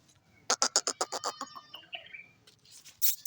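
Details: Pet parrot talking, voicing the phrase "mian mitho": a quick run of about eight harsh, evenly spaced syllables, then a few short whistled tones and a final bright burst, over a low background hum.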